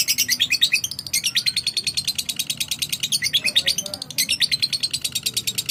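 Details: Lovebird answering another bird after a single click or whistle cue, giving a fast, steady stream of shrill, high chattering chirps, about three per second, continuing without pause; faint low murmur beneath.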